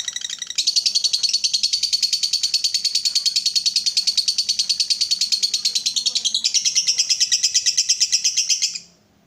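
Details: Lovebird in long 'ngekek' song, used as a lure to stimulate other lovebirds to sing: a continuous, rapid, high-pitched chattering trill lasting about eight seconds, shifting slightly higher near the end before stopping abruptly.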